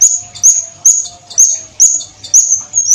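A Violet cuckoo gives very high, thin whistled notes, each with a slight upward slur, repeated rapidly about twice a second over a faint low hum.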